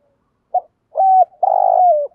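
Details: Decoy spotted dove calling in the morning to stimulate other doves to call: a short low coo, then two longer steady hollow coos, the last slightly throbbing and dropping at the end.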